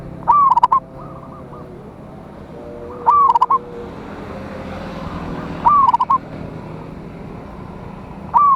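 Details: Local zebra dove with a big voice, singing to call and provoke rivals, used as a lure. A sharp opening note is followed by a quick stuttering run of falling coos. The phrase repeats roughly every two and a half seconds over a steady background hiss.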